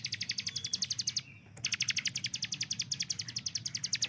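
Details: Caged hill prinia delivering a continuous fast rattle of sharp repeated notes, broken by one short pause, over a low steady background hum.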